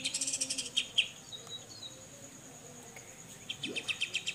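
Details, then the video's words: Cucak jenggot (grey-cheeked bulbul) besetan song used as a tutor recording: a quick burst of chips ending in two louder notes, a quiet stretch with soft whistles, then a fresh run of rapid notes. "BESETAN CUCAK JENGGOT"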